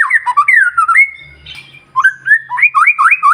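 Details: White-rumped shama's lure song for getting other birds singing in the morning: looping, slurred whistles that fall and rise, a brief pause, then quick repeated up-swept notes.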